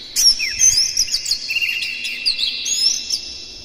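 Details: Morning song of an Oriental magpie-robin used to stimulate captive birds: a fast, continuous run of sweet whistles, down-slurred notes and quick chips, high-pitched and lively throughout.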